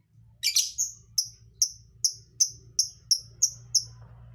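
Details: Lovebird song fill described as strange and hard to guess: a brief harsh buzzy burst, then nine sharp high chirps repeated evenly about three times a second, over a steady low hum.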